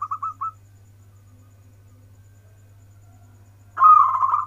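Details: Local zebra dove singing from its perch in the warung kebek (warkebek) style: a few short whistled coos, a quiet pause, then a loud rolling trill at the end over a steady low hum.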